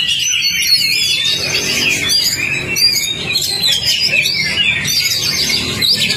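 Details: Oriental magpie-robin lure song for getting a stalled bird singing: dense, fast warbling of whistled slurs and sharp chirps, steady and unbroken for six seconds, with faint low hum beneath.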